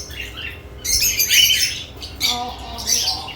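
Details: Lovebirds at their added nest boxes giving loud harsh squawks in three short bursts, the first with a squeaky upward slur, followed by a lower buzzy rasping note.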